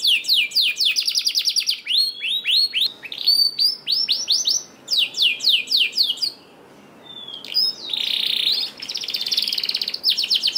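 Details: Canary song used as a lure to get lazy caged canaries singing: rapid high trills and rolling repeated notes, downward-sweeping phrases, a brief pause near the middle, then buzzy bursts and more fast trills.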